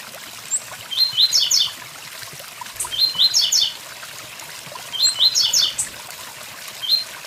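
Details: Blue-black grassquit singing beside a waterfall: brief high buzzy phrases of clustered notes, repeated about every two seconds, with constant running-water noise beneath.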